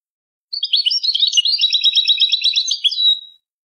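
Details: European goldfinch singing in the Jordanian song style on an error-free tutor tape: one unbroken three-second run of rapid, twittering high notes with quick buzzy trills, dense and even throughout, on a silent background.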